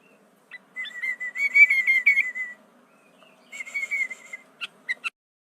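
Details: Sooty-headed bulbul singing with imitations of prenjak, cucak ijo, cucak rowo and murai: a sustained buzzy trilled whistle holding one pitch, a pause, a shorter similar trill, then a few sharp separate chips.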